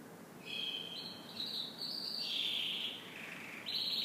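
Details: Canary singing in the morning: smooth sustained high trills that step up in pitch, then a lower rolling phrase, ending with a bright high trill.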